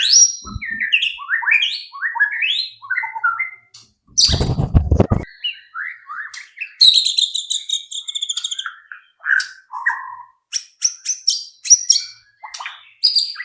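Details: Varied white-rumped shama lure song to prompt other birds to sing: quick rising and falling whistles, buzzy trills and sharp chips, broken midway by a loud low thumping rustle.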